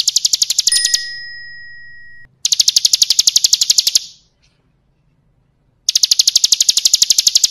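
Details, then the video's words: Tutor recording of a bar-winged prinia's 'kristal' song for song training: fast, high, chattering trills in three bursts with gaps between, and a steady pure electronic-sounding tone during the first two seconds. "Masteran Suara Burung Ciblek Kristal"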